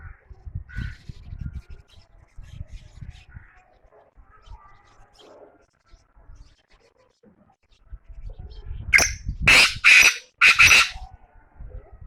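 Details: Black francolin giving a rasping call of three to four harsh, broadband bursts near the end, after a stretch of quiet rural background with low murmuring voices.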